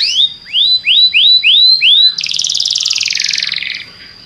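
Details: Belgian canary song used to make other canaries sing: five upward-sweeping whistled notes at regular intervals, then a long dense rattling trill that fades out.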